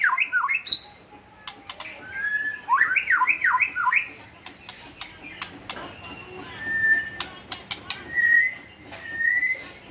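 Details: White-rumped shama singing actively (gacor): quick zigzag whistled phrases, later single clear whistled notes, among many sharp clicking and tapping sounds.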